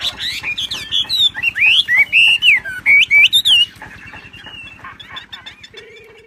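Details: Bright wambi song in ngebrem gacor style: strong swooping and rising whistled notes for nearly four seconds, fading into soft twitters and a faint low buzzing tone at the end.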